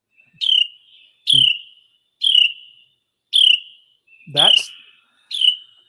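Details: Carolina wren alarm call given when sensing danger: a harsh, buzzy rasp like a thumb run over a comb, repeated about once a second, six times, with no other sounds.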